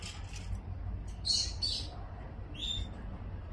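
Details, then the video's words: Several short buzzy nasal calls from zebra finches in Singapore, November 2024, given in small clusters of two or three over low background rumble. "Zebra Finches"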